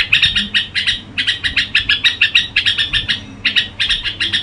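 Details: Red-whiskered bulbul gù song: a steady, fast stream of bright chirping phrases, about three a second, continues throughout with only tiny breaks.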